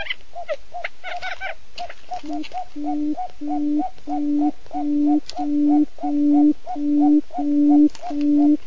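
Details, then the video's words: Male and female quail calling to each other, played as a trapping lure: low, hollow, even hoots, about one and a half each second, in a steady run after a few brief higher chirps at the start. "tiếng cút trống mái"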